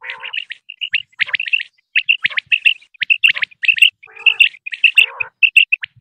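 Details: Common quail, male and female, in a Pakistani hunting lure: rapid, nearly continuous high chips and triple whistles, interrupted by two lower, rolling calls.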